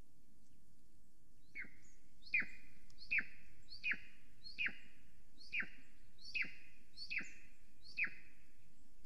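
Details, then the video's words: Estonian Golden Eagle nest camera, 9:53 am, 13 July 2020: the female calls as she flies around the nest. About nine loud, high yelps, each dropping steeply in pitch, follow one another roughly every 0.8 seconds against a low hum. "She is calling & preening, Flew calling around the nest"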